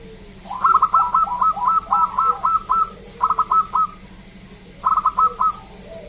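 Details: Loud local zebra dove song made of a long run of quick, evenly spaced staccato coos. Shorter bursts of three or four notes follow after pauses.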